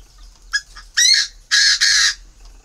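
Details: Hand-reared captive male Chinese francolin in Ba Vì, Hanoi, Vietnam, kept for pairing with a female and still calling strongly in October winter; a faint lead note, then a loud rasping burst and two long harsh notes in quick succession.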